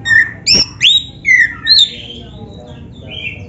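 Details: Black-breasted Oriental magpie-robin singing to prompt other magpie-robins: five loud whistles, rising then falling, one sharp click among them, then fading soft notes.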